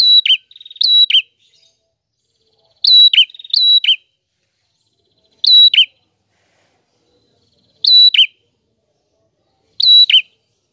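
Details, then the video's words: Prinia song, loud and clear: an opening pair of whistled phrases joined by a fast rattle, then single phrases every two to three seconds. Each is a steady high whistle ending in a dropping buzzy note. No background sounds. "Burung Prenjak Gacor Suara Jernih"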